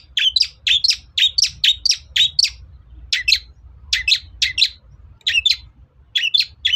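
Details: Long-tailed shrike sound intended to provoke rivals into song: paired, scratchy, double-peaked chirps repeated in quick succession, about three per second, in several runs with short pauses, over a low background hum.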